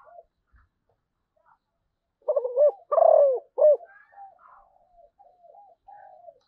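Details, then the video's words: A Malaysian zebra dove sings one clear phrase midway. Choppy rapid notes lead into a drawn-out downslurred coo and a brief closing note. Soft, low trailing coos follow, with silence before. "chim cu gáy malaysia"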